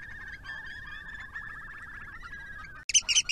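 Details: At night in spring 2020, a curlew on the Tarland Wetland beside a wastewater treatment works gives a long, even, bubbling trill lasting almost three seconds, followed after a break by brief bright higher notes.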